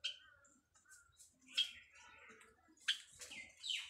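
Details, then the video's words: A white Java sparrow, one of a first-time breeding pair busy building a nest, gives soft bell-like chirps and clicking notes in an irregular run with a few sharper high bursts, apparently in a small indoor room; presented as a mating call. "White java bird mating call"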